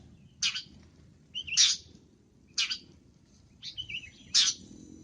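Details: Long-tailed shrike in lively masteran song: five rasping bursts mixed with a short whistled, warbling phrase, over a steady low rumble.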